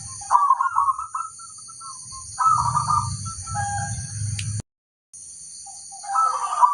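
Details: Local zebra dove giving pulsed coo phrases with low rumbling undertones; the recording drops out briefly before the cooing resumes, over a steady high whine.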